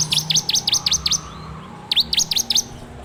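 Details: Bar-winged prinia (ciblek), recorded with an Android phone as a training lure for kept songbirds: quick runs of sharp, steeply falling high notes, about six per burst, two bursts with a gap between.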